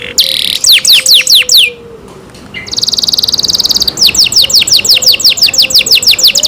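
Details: Caged canary kept as a pet singing loudly: a rapid run of descending whistled sweeps, a brief pause, then a fast buzzy trill, followed by steady repeated downward-slurred notes at high pitch.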